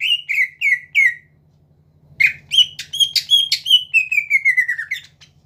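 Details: Greater green leafbird singing to provoke rival birds into song: loud whistled downslurred notes, then a rapid string of rich, buzzy notes ending in a long descending whistled glide; a faint low hum runs underneath.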